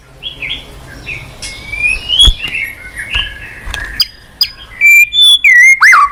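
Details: White-rumped shama lure song for a silent caged bird: soft warbled whistles and scattered clicks building into loud, clear whistled phrases with falling and rising slurs at the end.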